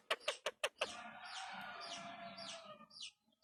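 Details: Pet Indian ringneck parakeet that has started talking, giving a run of five sharp clipped notes followed by a drawn-out series of rising and falling chattering, squawky phrases.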